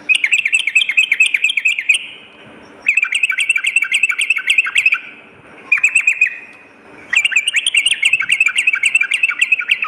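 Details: Sooty-headed bulbul master recording used as a lure for morning and night: nearly continuous rapid chirping in three long bursts broken by brief silences, the notes bright and tightly packed.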